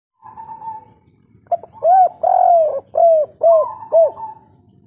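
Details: Spotted dove of local stock giving the 'kuk 3' style call: a soft opening coo, then five loud, round, mellow coos in a steady sequence, each slightly arched.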